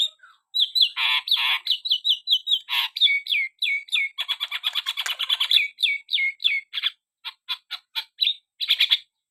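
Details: Javan myna in full song: a long run of clear downslurred whistles repeated rapidly, mixed with rasping buzzes and sharp clicks, steady and continuous throughout.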